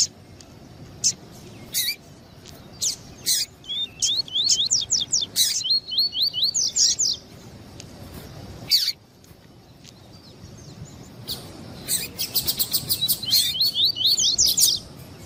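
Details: Double-collared seedeaters, a male and a female, calling to excite a tournament male: sharp high chips, then quick strings of wavy slurred whistles repeated in two long bursts, with a short silent pause between them.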